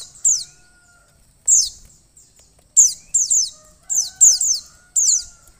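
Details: High squeaky downward-slurred chirps from a female mountain white-eye, given to stimulate a male, coming singly and in quick pairs and triplets, with a faint low steady hum behind.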